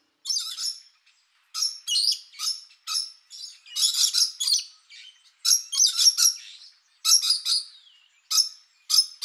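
Rainbow lorikeets give harsh, high, screechy chattering calls in quick bursts, about one every second, with no other sounds.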